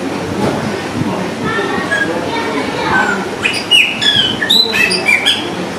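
An austral blackbird gives a run of loud, clear whistles and sharp squeaky notes in its second half, over a steady low rumble of background noise.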